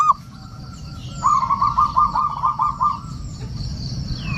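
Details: Local male zebra dove giving a lure call meant to summon rivals and said to revive stressed doves: a brief opening coo, a pause, then a rapid rolling series of about eight mellow cooing notes over two seconds, with a low steady hum behind.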